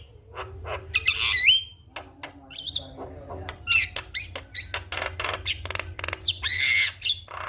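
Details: Javan myna morning song meant to encourage non-singing mynas: squeaky upslurred whistles, sudden loud broadband cracks and chatters, and a rough buzzy burst near the end, all irregular in timing, with faint background hum.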